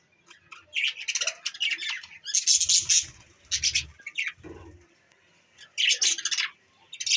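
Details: Budgies chattering in bursts: scratchy, buzzy warbles and squeaky chirps come in clusters separated by short pauses, with a few lower rough notes mixed in.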